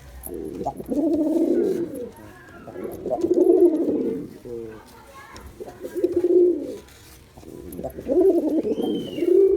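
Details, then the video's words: Male Girabaj pigeon performing, giving deep throaty cooing bouts roughly every two to three seconds, four bouts in all, each a rolling, pulsing coo with short quiet gaps between. "Pigeon Sound Effect || Male Pigeon Super Performance || Girabaj Pigeon"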